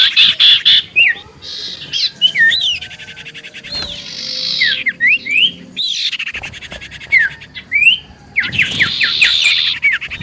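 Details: Common iora singing vigorously, used as a lure to make other ioras answer: bright slurred whistles rising and falling, quick chirps and dense buzzy rattling bursts, with loud pulsed passages at the start and end.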